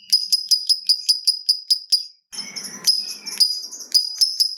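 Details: Lovebird, fighter type, in long ringing song used to prompt other lovebirds: rapid shrill harmonic chirps about four per second, a short break with a rustle, then the chirping resumes.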